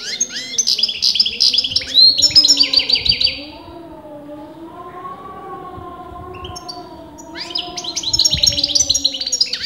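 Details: European goldfinch, debated by breeders as male or female, sings bursts of fast, high twittering at the start and end, while a loud wavering siren-like wail fills the middle.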